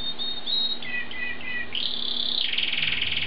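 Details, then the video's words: Jalak suren, the Asian pied starling, singing in full, lively voice: short squeaky whistled notes, then a harsh sustained rasping buzz that breaks into a fast rattle. "Kicauan Jalak Suren "GACOR""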